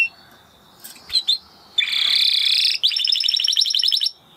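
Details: Spanish Timbrado canary delivers a few soft chips, then a loud sustained buzzy roll followed by a rapid pulsed trill of high notes, over low background hiss.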